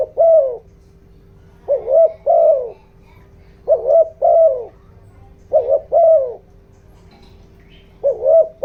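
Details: Decoy spotted dove in the 'giọng đồng' voice style, cooing to excite wild doves. Five mellow phrases, each a quick wavering note and then a longer falling coo, repeated every one to two seconds, with a low steady hum behind.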